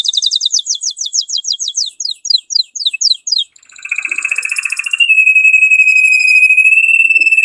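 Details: Male canary sings hard to stimulate a pair to breed: a quick series of sharp downward-sweeping notes, about four per second, then a scratchy burst and a long, steady rolling trill.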